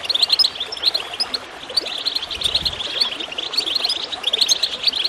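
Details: Goldfinch twittering to inspire birds to sing, a rapid high chatter that dips briefly midway, all over constant gurgling water.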